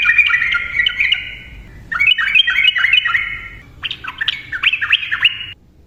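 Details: Yellow-vented bulbul in quick 'ropel' style to goad silent birds into song: three bubbly, gurgling warbled phrases, each lasting about two seconds.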